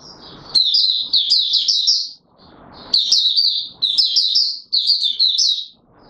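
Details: Oriental white-eye called Mata Puteh Raja, courting on 25 January 2022, delivers lively high warbling runs of several quick notes, separated by stretches of soft rustling.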